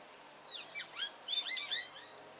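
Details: Singing male Carib grackle courting his mate, delivering loud high squeaky notes, steep downward slurs and a crackly chattering burst in quick succession.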